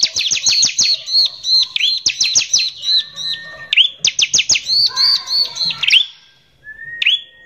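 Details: Bar-winged prinia singing constantly, a 'nembak kasar' lure song to provoke rival prinias: dense rapid volleys of high sharp notes mixed with looping chirps, a lower whistle and brief pauses before a final upslurred chirp.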